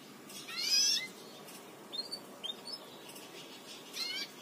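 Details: Song for teaching Belgian canaries: a canary gives high, clear notes, a loud rising trill, then scattered short chirps and another brief trill, over a faint steady hiss.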